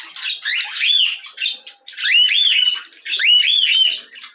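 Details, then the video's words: Cockatiel chicks being fed, loudly calling in three long bursts of about a second each, made of rapidly repeated arched, wavering squeals and harsh cheeps. The bursts are separated by short pauses with quiet clicks. "Alimentação para filhotes de Calopsitas"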